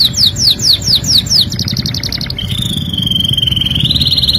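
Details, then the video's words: A canary sings a tutor song: six quick descending slurred whistles, a fast buzzy roll, then a long sustained rattling trill held at a steady pitch, with a low constant hum behind. "MASTERAN KENARI GACOR | CANARY SINGING"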